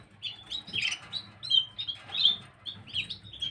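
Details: Gloster canary singing on 9 January 2023: bright chirps and short warbled phrases in quick succession, with rapid trills between louder notes, over a faint low hum.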